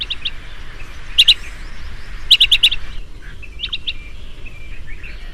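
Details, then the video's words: Bee-eater, an insect eater, calling in the wild at dusk: sharp, clipped trilled notes in quick groups of two to four, then quieter scattered chirps and a low background hum. "Burung kirik - kirik senja"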